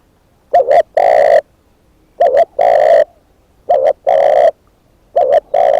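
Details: Decoy spotted dove giving four strong calls, each opening with a fluttering double coo and ending in a longer, steady coo, spaced about one and a half seconds apart.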